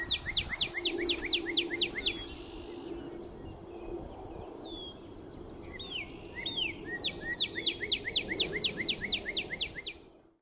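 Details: Northern cardinal song recorded 14 April 2024 at Major Donnelly Wildlife Preserve in South Windsor, Connecticut: bright downslurred whistles repeated in quick even series, a pause with a few looser notes, then another fast run; low background hum.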